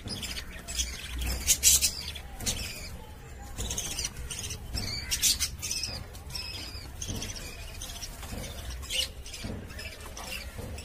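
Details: Budgerigars kept in a cage make scattered chirps and squeaks among frequent clicks, taps and brief wing flutters, with quieter gaps between bursts.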